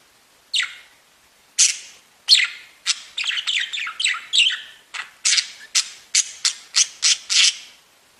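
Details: Budgerigars kept as pets, tweeting and singing: a series of separate sharp, bright chirps and squeaks, growing faster and more regular in the second half, with short silences between notes.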